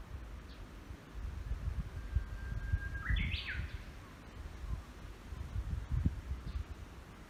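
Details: Wild bird singing in a forest: a long thin steady whistle, then a quick rising run of higher stepped notes, over strong low wind rumble.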